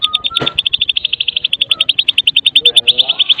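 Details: White-rumped shama of the Medan type in full, lively song used to lure others of its kind into singing: a steady rapid rattle of high clicking notes, about eight per second, with a faint low whistle.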